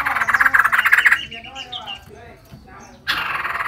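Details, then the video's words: Female white-crested laughingthrush singing energetically: a dense, fast series of ringing notes fades into softer scattered calls before a new loud burst of rapid notes begins. "Poksay jambul putih betina gacor"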